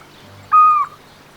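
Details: Moheli Scops Owl, a critically endangered owl of tropical forest on Moheli Island, Comoros, gives a single clear whistled note about a third of a second long, level in pitch and dipping slightly at the end, over a quiet background.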